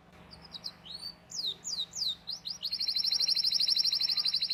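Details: Canary song used as a master recording to train young canaries to sing: a series of rising whistled sweeps, then a long, fast, dense trill of rapidly repeated high notes.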